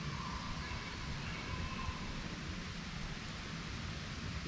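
Steady low rumbling noise like wind or distant traffic, with no animal calls heard.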